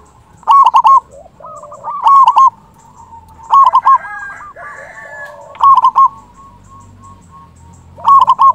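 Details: Local zebra dove with a strong voice, kept to lure wild doves and rouse quiet ones: clipped bursts of rapid, bell-like coos roughly every one and a half to two seconds, fainter dove calls overlapping in the gaps.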